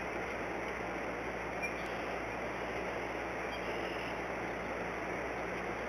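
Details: Even broadband hiss and hum throughout with one faint tick, and no animal call.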